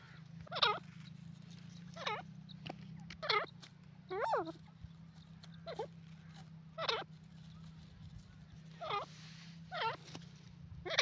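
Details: Francolin (teetar) calling, harsh ringing notes with rich harmonics repeated roughly every one to one and a half seconds, over a steady low hum.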